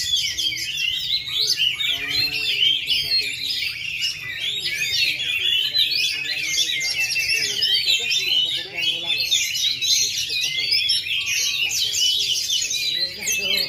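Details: Oriental magpie-robin, a ringed kept bird in Central Java that has failed to molt for two and a half years yet still sings at full power: dense, continuous, varied high warbling and whistles with rapid trills, with human voices murmuring underneath.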